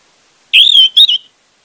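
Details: Orange-headed thrush song used to stir a silent bird: a single loud, pure whistled phrase, level and slightly undulating, split into two joined parts lasting under a second.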